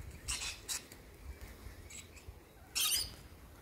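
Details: Sulphur-crested cockatoo heard in the morning, giving harsh, broadband screeches: two short bursts close together, then a louder, longer squawk near the end over quiet background hiss.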